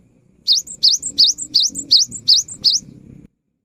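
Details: Lively cinereous tit song for drawing song from silent tits: seven crisp phrases, each a rising whistle followed by a higher ringing note, over a low humming background that cuts off abruptly at the end.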